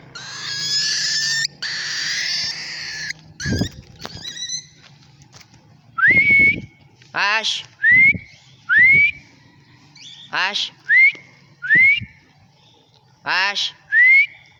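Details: White-faced cinnamon pearl cockatiel in free flight in Angeles City, Pampanga, giving a series of shrill, rising whistled calls, each ending in a brief level note.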